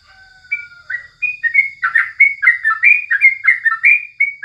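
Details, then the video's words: Morning tutor song of a sooty-headed bulbul: a faint low sliding whistle leads into a quickening series of bright, bubbling chirps that dip and rise, over a thin steady high whine. "Masteran paling jitu saat pagi hari #crucukan"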